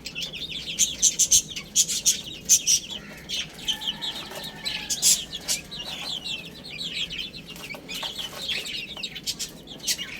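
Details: ['Baby chicks chirping as they eat and play. Many short, high peeps repeat quickly, with sharp clicks at the start and continuous overlapping chirping afterwards.']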